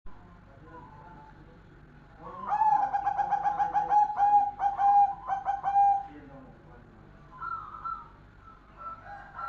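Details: Golden zebra dove, bred stock, singing: a fast rattling series of short rolling coos near 800 held for about three and a half seconds, then quieter broken notes, over a low background hum.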